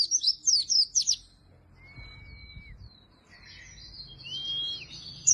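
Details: Oriental white-eye in full song, meant to lure and tutor lazy-singing white-eyes: a quick run of high looping chirps, followed by quieter thin whistles and faint distant twitters.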